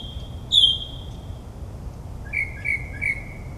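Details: Mockingbird singing in the dark in a New Jersey suburb, copying other species: one long, clear whistle, then three short, identical whistled notes repeated about every third of a second.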